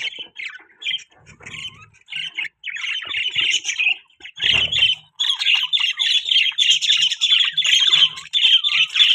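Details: Budgerigars in a breeding setup, several birds chirping together: dense chattering squawks and warbles at a high pitch, overlapping in fast runs with brief pauses and a few low thumps.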